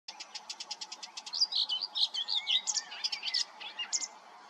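Common whitethroat: about a second of quick, dry, high ticks, then a fast, scratchy, jumbled warble lasting around three seconds.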